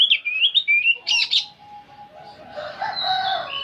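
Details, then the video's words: Old oriental magpie-robin in nyerecet song: quick warbled whistles and a pair of harsh, scratchy bursts, then a quieter stretch with a thin held note and soft mixed twittering. "Kacer tua jiwa muda nyerecet bunyi tanpa henti"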